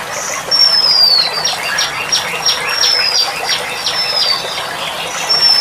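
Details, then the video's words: Female Oriental magpie-robin in captivity, therapy recording: long high whistled notes that drop in pitch, separated by quick trains of sharp repeated chips, with a constant rushing hiss behind. "Burung kacer betina || Suara Terapi kacer"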